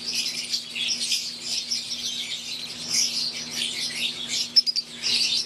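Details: Dense chatter of wild-type green Fischer's lovebirds and Euwing lovebirds in an aviary: rapid high chirps layered into a steady wash, a few quick loud clicks toward the end, faint hum underneath.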